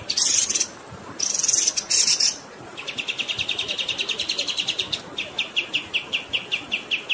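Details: Pied triller song, used as a tutor recording for songbirds with flowing water behind: opens with harsh, noisy rasping bursts, then a long even run of quick chirped notes, slowing into separate chirps.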